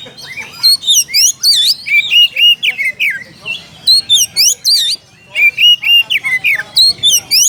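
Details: Oriental magpie-robin calling a rival: fast, loud, varied whistled phrases with steep sweeping notes, a brief pause, then another energetic run.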